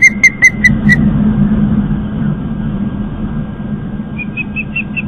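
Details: Fledgling osprey back at its nest on Long Island, New York, as people walk by, giving a fast series of four or five whistled chirps, then a rising series of chirps near the end, over steady traffic rumble.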